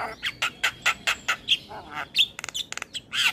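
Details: Asian pied starling training song for captive birds: quick repeated harsh chack notes, then clear whistles and rapid clicking rattles, ending on a broad raspy squawk.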